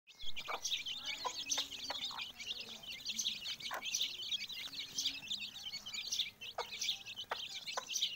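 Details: Mother hen with her chicks: a dense, continuous chorus of high thin peeps from many chicks, with occasional soft low clucks underneath.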